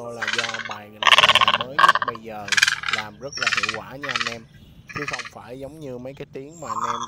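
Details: Large and small egrets, male and female, calling to gather the flock, from a recording used to lure birds for trapping and shooting: harsh, nasal croaking squawks in bursts, about nine over seven seconds, with a faint steady hum beneath.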